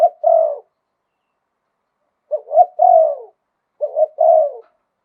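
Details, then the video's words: Spotted dove in 'liu tan' style, wild-voiced 'khan yon' singing. The tail of one phrase is followed by two full phrases, each of short stuttered hoots and a long descending purring coo, in a quiet setting. "หลิ่วตัน มงคล ขันโยนเพราะๆเสียงป่า"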